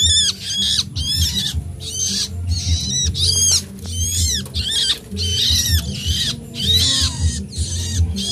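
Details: Hungry nestling birds clamouring for food before hand-feeding, refusing to quiet down; rapid, strident, wavering screeches repeated almost without pause, about a dozen harsh bursts, with low rumbling noise underneath.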